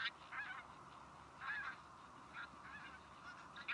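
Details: Tundra bean goose honks, several overlapping nasal notes in quick succession, fairly distant, against a soft noisy background.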